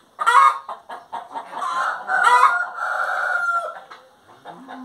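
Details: Hen singing: an opening sharp squawk leads into a long, drawn-out, wavering wail lasting about two seconds, followed by quieter clucks and a low note at the end.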